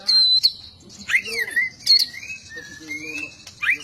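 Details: White-rumped shama singing: high sustained whistles and swooping slurred notes, with long steady tones drawn out over several seconds and a few sharp clicks.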